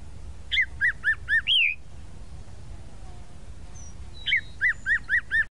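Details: Tropical mockingbird (sabiá-da-praia) repeating a clear arched whistled note four times in quick succession, then a rising slur, and after a pause another series of five similar repeated notes, steady and evenly spaced.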